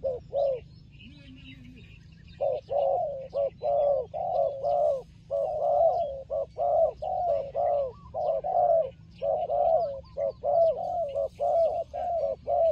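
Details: Fighting turtle dove, tied to trapping: after a brief pause, low throaty coos come in a steady series of about one per second, each note short and rough, with faint high chirps from other birds and a low steady hum underneath.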